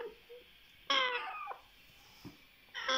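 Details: Hungry African grey parrot chicks, wanting to be fed, give a harsh, raspy, wavering cry lasting about half a second, then start another; the room is otherwise quiet.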